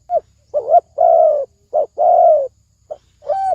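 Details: Spotted dove, loud thổ ồm vang cooing. A clipped note opens the phrase, followed by a rising-falling stutter and long, steady, slightly falling coos separated by short notes, all in a low mellow register.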